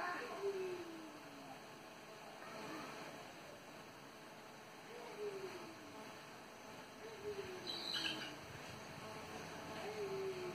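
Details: One of a pair of Sulawesi Scops Owls in a windy bamboo day roost gives low, descending whistled notes, each about a second long, repeated every two to three seconds, against steady wind noise.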